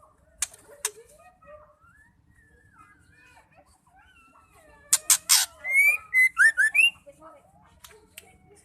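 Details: Female white-rumped shama call, used to stir silent or stressed males into singing. Faint scattered whistles at first, then two harsh rasping bursts followed by a quick run of five clear, slightly rising whistled notes, then quiet.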